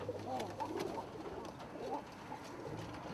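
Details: Domestic pigeons (Thai Lappers) in an indoor loft breeding cage holding two young. They give soft, low cooing, a muffled rolling murmur; the breed is noted as a strong breeder and pumper.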